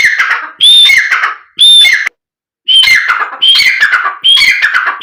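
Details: Black francolin sound used to make the bird call and excite it: loud harsh grating phrases, each opening with a rising whistled note and falling into scratchy notes, about once a second with short silent gaps.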